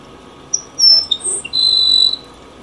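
Grassland sparrow singing: a few thin, very high whistled notes, then a dry insect-like buzz held for about half a second, over a quiet background hiss.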